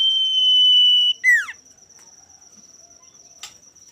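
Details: Singing male common iora, used as a rival-provoking song: one long level whistle held about a second, then a sharp downslurred note, followed by near silence apart from a constant thin high tone.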